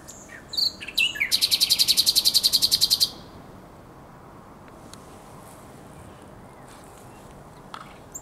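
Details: Night song of a common nightingale on the Żerański Canal in late April 2022: brief varied notes, then a fast, very regular rattling trill lasting about two seconds, followed by near silence with faint distant sounds.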